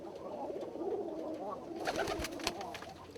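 Thai Lapper pigeons coo in low, rolling, throaty murmurs, with some rustling and clatter in the background.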